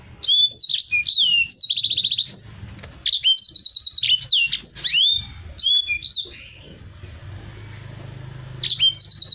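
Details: Black-throated canary in a cage, sung as tutor material for other birds: phrases of sharp whistles and rapid machine-gun trills, a softer pause near the middle, then renewed trilling at the end.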